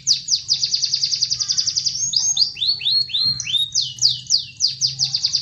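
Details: Canary song used to stir quiet canaries into singing: a fast, high rolling trill breaks into slower downward-slurred whistles, then returns to rapid trilling, over a faint low hum.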